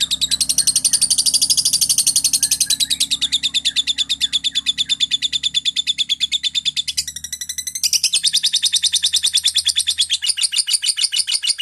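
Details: Energetic lovebird song meant for teaching magpie-robins: a long run of rapid, shrill chattering pulses, dense and buzzy, with a short change in tone midway before the steady chatter returns.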